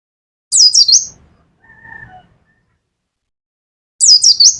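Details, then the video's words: Mountain white-eye from Pacitan, kept as a cage bird, gives nembak-style song: a fast cluster of thin, high descending chirps, then a softer, lower whistled sound from something else, and another quick high burst near the end. "pleci pacitan nembak nembak pleci dakun"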